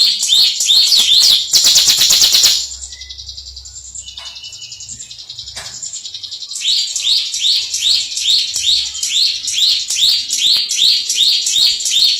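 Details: A bar-winged prinia that has won contests delivers ngebren song, fast high rising chirps repeated about two and a half per second; a loud harsh burst cuts in early, then a quiet stretch before the brisk chirping series returns.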